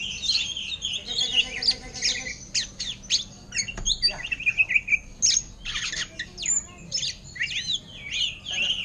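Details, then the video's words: Greater green leafbird, kept in a cage, sings thrush-style: dense high chirps and squeaky notes, then a quick descending series of clear whistled pips near the middle, with a brief low buzz early on. "Cucak Ijo Ngentrok Gaya Anis Merah"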